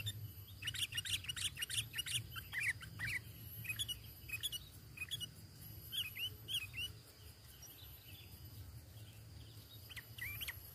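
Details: Sooty-headed bulbul natural lure call used for trapping birds, without added songs: a busy stream of short, bright chirps and slurred notes, densest in the first three seconds and then thinning, over a steady high whine and a low rumble.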